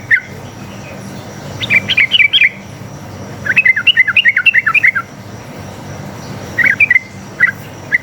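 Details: Sooty-headed bulbul (trucuk) long song meant to draw replies from other trucuk; bursts of quick whistled notes in two clusters of about a second each, then scattered single notes, over low hum.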